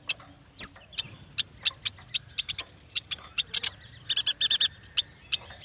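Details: Yuhina, also called prenjak batu, singing. It opens with a sharp descending whistle, followed by irregular short high chirps that thicken into a busy cluster of rapid notes near the end.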